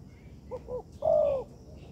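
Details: Tekukur, or spotted dove, heard as training material in an artificial yard: two soft short hooting notes followed by one loud, long, gently falling coo, with faint background noise.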